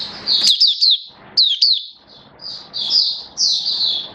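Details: Caged oriental white-eye (mata puteh) kept as a hobby songbird, recorded 19 September 2022 in build-up form: high, thin twittering phrases with quick rising and falling whistled slurs, broken by short gaps.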